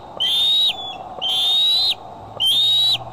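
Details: Bald eagle at the Decorah nest on July 6, 2011, filmed in the afternoon or evening: piercing, slightly rising whistled notes, each ending in a quick drop, three in a row about a second apart, over quiet background hum.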